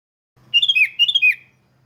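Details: Sooty-headed bulbul song used as a lure to get other bulbuls singing: two quick bubbly phrases of rising and falling whistled notes, each about half a second long, with a faint low hum underneath.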